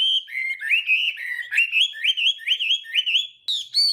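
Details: Chinese hwamei singing in the morning while its voice is trained to provoke singing: a loud run of clear, rising whistled phrases, each slurring upward and repeated about once a second, ending with sharper high notes.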